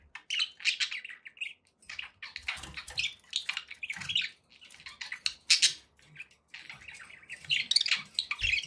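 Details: Pet budgerigars warble and chatter in raspy, uneven bursts, with a few soft low knocks in the background.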